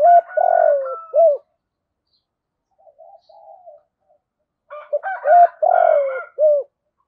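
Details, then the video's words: Decoy spotted dove calling in thổ voice style, giving loud repeated phrases of low hooked coos around a long buzzy note, with soft faint cooing between phrases and overlapping rougher notes in the second phrase. "Chim cu gáy mồi gáy gọi || tiếng chim cu gáy mồi giọng thổ chuẩn cực hay"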